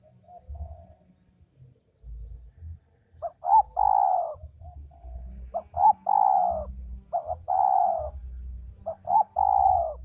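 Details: Repeated cooing of a male spotted dove: four phrases, each a short stuttered lead-in followed by a long soft coo that tails downward. Low rumbling noise sits in the background.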